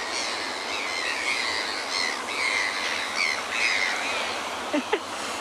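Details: Hartlaub's gulls, very talkative and noisy at a penguin beach on the coast; repeated shrill squealing cries overlapping from several birds, with a steady wash of surf or wind behind.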